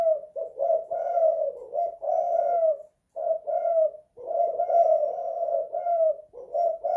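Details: Spotted dove inside a house, kuk 2 / guk 1 style, repeating its cooing phrase twice: quick soft introductory notes leading into several drawn-out, hollow coos, with a short pause between phrases.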